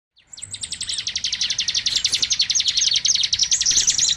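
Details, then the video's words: Lure call used to attract small birds (burcil): a fast, steady train of sharp high chirps, many per second, running without pause and growing slightly louder. "Suara Pikat burcil ampuh"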